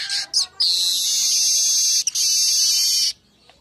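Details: Midday weaver song used as a lure and master track: a few quick high chirps lead into a sustained, harsh, hissing buzz lasting about two and a half seconds, broken once by a tiny gap, then silence.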